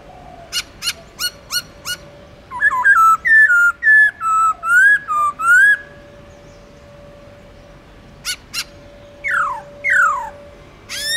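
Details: Black-throated laughingthrush in a forest-style song: short sharp clicks, a run of clear mid-pitched whistled phrases, more clicks, then steeply falling whistles, over a faint steady hum.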